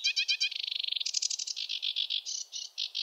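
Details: Sedge warbler singing its rushed, chattering song: a few quick scratchy notes, then a fast even trill, followed by a series of harsher buzzy chirps given about four per second.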